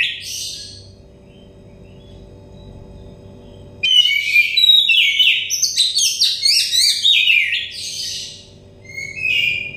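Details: Oriental magpie-robin, a stressed untrained bird, sung as therapy to bring on loud, open singing: a quiet pause, then a burst of rich, varied whistles and buzzy, rapidly changing phrases over a steady low hum.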